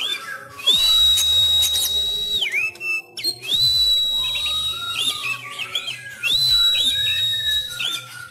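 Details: Sumatran Oriental magpie-robin, kept at home and singing its fighting-style song during training while bird contests are closed. Long, level, bright whistles held about a second, dropping at the end and repeated, are mixed with shorter chirps and warbles. A low hum sits underneath.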